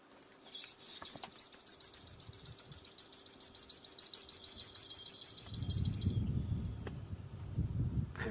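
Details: Burnt-necked Eremomela call played back in its habitat, drawing resident birds in behind the vehicle to investigate an intruder in their territory: a high, rapid series of sharp, evenly repeated notes lasting about five seconds, followed by low rumbling noise.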